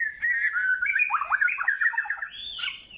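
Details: Rapid, varied song from a white-rumped shama: whistled notes blend into a fast chattering stretch of short twitters, then end on a higher sustained whistle and a brief sharp note.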